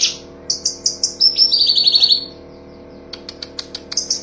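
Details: Cucak cungkok song used as master song for training songbirds, full tembakan style: a high buzzy descending trill of rapid notes, then short sharp high chirps repeated in quick bursts after a brief pause.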